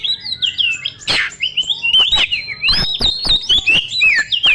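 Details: Lure song of a young forest Oriental magpie-robin for stimulating other birds. Continuous loud whistles swoop and warble, with harsh rasping notes and sharp percussive clicks scattered through the rich, rapidly varied song.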